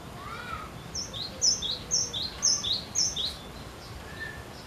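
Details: Cinereous tit in persistent song aimed at prompting other birds to sing: five rapid high-low whistled pairs, rather soft, with a brief lower call from another bird just before them.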